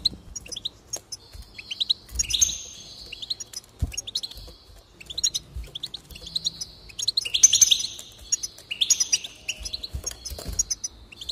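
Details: Goldfinch song of tumbling twitters mixed with buzzy, nasal stretches and rapid chirp runs, rising in intensity toward the middle and end, with faint low rustling underneath.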